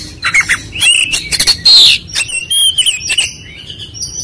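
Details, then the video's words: Kacer, the Oriental magpie-robin, singing ngobra style as a training lure: bursts of harsh squawky notes and sharp chips, a long grating buzz, then clear whistled slides and thin high notes, loud and close. "MASTERAN PANCINGAN KACER CEPAT RESPON NGOBRA"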